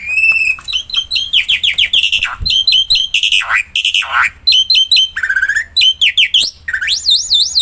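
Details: Black-winged myna in full energetic song, played to spur mute mynas to sing; loud clear whistles, swooping slurred notes dipping low and rising again, clipped chips and a final wavering trill.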